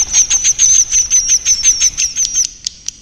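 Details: A swiftlet roosting lure recording: a fast run of high, thin chirps, about three per second, each with a bright whistled tone, fading out at the end.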